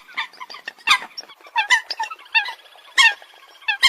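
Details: Brief burst from a coot flock, a jumble of harsh nasal notes and quick squeaky calls crowding together without pause.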